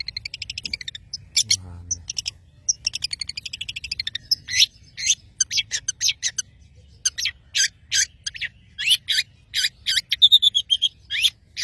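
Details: Madura long-tailed shrike in full song: thin high whistled phrases, then bursts of sharp, squeaky notes repeated rapidly in uneven clusters, loud and lively throughout.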